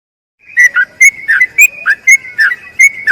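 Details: Sooty-headed bulbul giving a long rolling song used to tutor other bulbuls: quick phrases, each a sharp high whistle dropping into a lower slurred note, about nine phrases over under three seconds, clean background.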